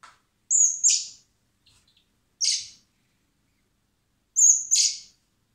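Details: Common blackbird (Turdus merula) chicks in spring being hand-fed at a wildlife rescue centre, begging with three bursts of thin, very high squeaky calls, each a shrill note sliding into a scratchy downstroke; quiet background.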